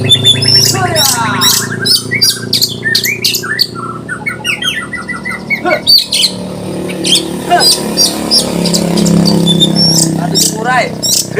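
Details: Oriental magpie-robin in konslet style, said to rouse other birds to agitation: sharp chirps, buzzy rattles and slurred whistles over a loud low hum, with denser calling toward the end.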